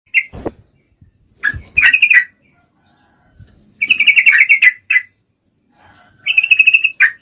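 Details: Female yellow-vented bulbul in breeding condition calling to a male: short scratchy chirps, then two bursts of rapid chattering notes, each under a second long, separated by brief pauses, with a low thump near the start.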